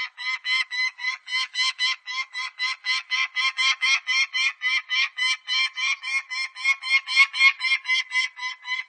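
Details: Peregrine falcon (Falco peregrinus), call.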